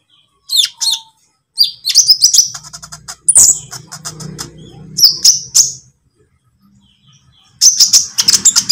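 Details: Lure song of a konin lovebird, green or pied type, for training caged birds. Sharp high twitters and trills come in spurts, with a steady low hum behind them and a quiet pause near the end.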